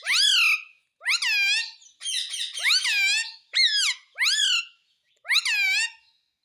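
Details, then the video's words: Parrot taught to say "mummy" repeats harsh, overtone-rich squawks, about seven in a row at slightly irregular spacing, each rising abruptly then falling away. "मम्मी बोलने वाला तोता _ Mummy Bolne Vala Tota _ Talking Parrot _ मम्मी मिट्ठू"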